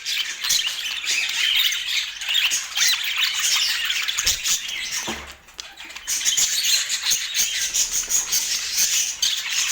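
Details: Budgerigars in Portland warbling and chirping in a dense stream, briefly dipping quieter near the middle before the lively chatter resumes.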